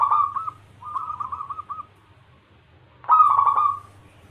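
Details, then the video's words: Lure song of a local zebra dove meant to draw replies from doves kept at home: two short stuttering cooing phrases, a brief pause, then one loud rolling bubbly burst, with a low hum throughout. "Pancingan perkutut lokal gacor suara cocok untuk pancingan semua jenis burung kutut dirumah"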